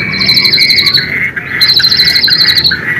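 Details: Vigorous White-rumped shama song played as a lure to rouse captive shamas, high rapid stuttering trills in two long bursts over steadier whistled tones, with a brief pause between them.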